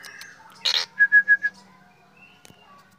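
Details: Black drongo singing in the morning: one harsh, scratchy burst followed by four clear, evenly spaced whistled notes, then near silence and a final harsh note.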